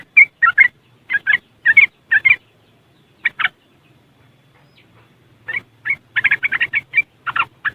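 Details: Trucuk, or yellow-vented bulbul, in West Java, Indonesia, recorded with an Android phone: spaced pairs of harsh chirps, a quiet gap, then a quickening burst of rapid riwikan chatter, with a soft low hum.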